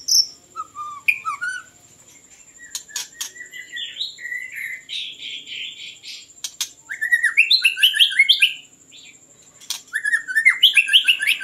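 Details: White-rumped shama (Copsychus malabaricus) song used as a lure: rich whistled phrases and buzzy notes, then rapid bursts of bright chirps, broken by sharp clicks, with a constant faint high whine behind.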